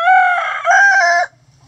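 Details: Rooster crow heard among scratching chickens in their coop, caught mid-call: two loud sustained, strained segments joined by a brief dip, ending abruptly after about one second, then near quiet with faint low hum.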